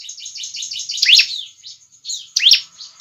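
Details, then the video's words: Bar-winged prinia, recorded for luring and tutoring birds, gives a quick run of soft, high twittering notes, then two loud, sharp descending chirps about a second and a half apart. "SUARA BURUNG CIBLEK GACOR"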